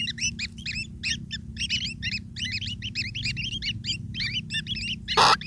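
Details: Hungry long-tailed shrike young begging as their parent brings food: rapid clustered squeaky chirps, ending in a short loud rustle.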